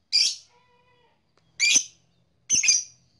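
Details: Blue black-masked lovebird making three separate harsh, rasping squawks, about a second apart, with a faint tonal whine between the first two.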